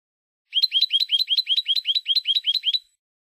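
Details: Spanish European goldfinch song from a Spanish silvestrismo song recording: a rapid run of about twelve identical rising, bent twittering notes, evenly spaced, lasting over two seconds, against a clean silent background.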